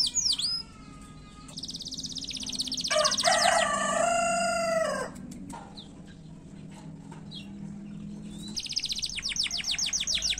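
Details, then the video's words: Canary singing fast, short phrases meant to lure others into singing: a high flourish, buzzy trill, a low harmonic rattling tour, a quieter pause, then rapid repeated high chirps. "KENARI GACOR SPEED PENDEK UNTUK PANCING SUARA"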